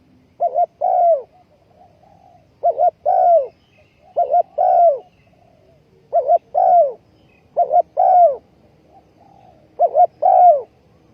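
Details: Trapping decoy spotted dove placed on the ground, 20.04.2020, delivering six evenly spaced coo phrases about every two seconds: a quick double trill-like note followed by a longer slurred downward coo.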